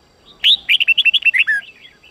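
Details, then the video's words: Sông Kôn red-whiskered bulbul singing an 8-9-10 note training phrase: a sharp upswept opening note, then about nine quick bright whistled notes in an even run, with a lower, longer final note. "Luyện giọng chào mào hót hay âm 8-9-10"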